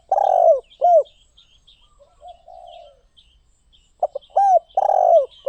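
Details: Spotted dove opening with a long buzzy croo and an arched coo, then soft low hums, then a fresh burst of clipped notes, buzz and coos, over light twittering of other birds.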